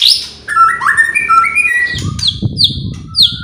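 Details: White-rumped shama song used to provoke other birds into singing: stepping whistled notes rising in pitch, then a run of sharp high downward-slurred notes, over steady low background noise.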